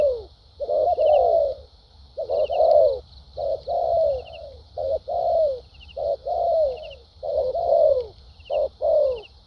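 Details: A wild-caught spotted dove with a strong contest temperament sings structured thúc gù and lèo dặm phrases. Clipped notes give way to sliding, descending coos in uneven groups, over a constant faint hiss.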